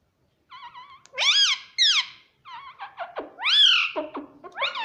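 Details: Pet parrot mimicking "mummy" with loud, squeaky whistled phrases that sweep up and down, mixed with short, clipped downward notes, all in a quiet room.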